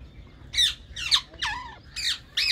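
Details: Green Indian ringneck parakeets in a colony giving harsh, buzzy squawks, each sweeping downward, about five calls spaced half a second apart over a low background hum.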